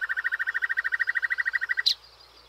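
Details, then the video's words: Common nightingale singing in full voice while perched on a prickly pear cactus, delivering a rapid, even rattle of about twenty mid-pitched notes in under two seconds, capped by a single sharp high note. "Ruiseñor Común cantando"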